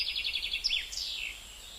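Gouldian finch song: a fast run of thin, high ticking notes, then a slurred note and a long, wheezy downward whistle. Faint background hiss.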